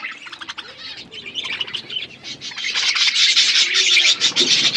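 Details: Feeding budgerigars chirp in a rapid, buzzy chorus of high notes that grows steadily louder toward the end.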